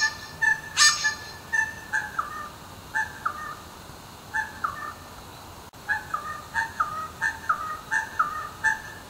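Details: Little wattlebird in Melbourne, calling around 5 am nearly every morning as a dawn wake-up call, gives harsh, cackling notes with stepped falling phrases, repeated in quick bursts about every half second, against a steady background hiss.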